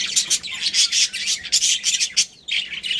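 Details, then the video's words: Budgerigars, a breeding pair with their family, chatter continuously in rapid high, raspy chirps that pulse several times a second without a pause. "Cute Budgies Chirping Sounds"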